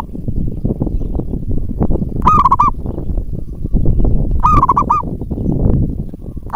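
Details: Local zebra dove in active voice, used as a lure to draw other doves into answering: three short rolling, quavering coo phrases spaced about two seconds apart over steady low rumbling background noise.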